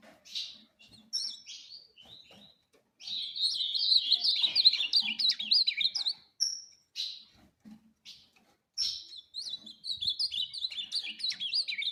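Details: Ultramarine grosbeak song: scattered short notes, then a long rapid run of sweeping, twisting whistles from about three to six seconds, with further phrases near the end.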